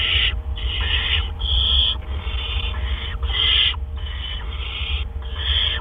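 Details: During an evening gopher delivery at a barn owl nest in April 2013, hoarse hissing screeches repeat about once a second, some louder and sharper than others, with a steady low hum beneath.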